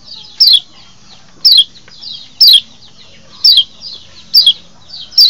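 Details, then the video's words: Kecial lombok white-eye, a lure recording meant to excite wild birds into breeding mood and draw them in. Sharp, high, falling notes come roughly once a second, with faint softer chirps between them. "masteran untuk mancing birahi burung kecial di alam liar"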